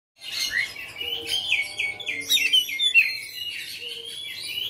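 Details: Home-kept Oriental magpie-robin of fighter type singing persistently, showing its varied song repertoire: dense run of whistled and warbled phrases, sliding notes around mid-high pitch, with faint low steady tones in the background.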